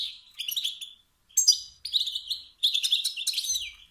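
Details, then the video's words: A wild male European goldfinch calling to excite competing males into song; quick twittering bursts of tinny, slurred notes in three or four spaced phrases. "ستستات و بتبتات ذكر الحسون الخلوي التي توقد النار في الذكور الاخرى"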